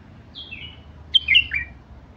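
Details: Bulbul from Basra: a smooth descending whistle followed by a quick twisting run of clear liquid notes.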